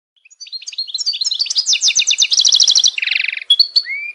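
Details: European goldfinch singing a fast, tinkling twitter of high, rapidly repeated notes that build into dense trills, then a buzzier burst and a few clear, sliding whistled notes at the end.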